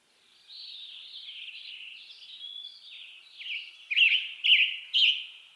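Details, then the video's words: A Western Tanager in western North America sings a run of burry, robin-like phrases, starting soft and ending in three louder, hoarse notes about half a second apart. "Western Tanager Bird Song"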